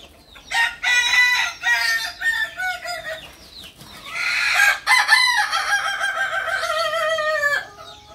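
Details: Several loud crows from a Kukuak Balenggek chicken, native to Solok, West Sumatra. Each is harmonic and stuttering, with the last long crow sliding downward. Faint chirps sound in the pauses.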